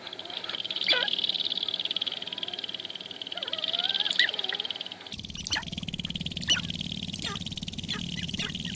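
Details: At Wainwright, Alberta, in 2015, dancing sharp-tailed grouse give wavering, curving mid-pitched calls over a steady high hiss. After about five seconds a rougher stretch follows, with scattered sharp clicks and a low rumble.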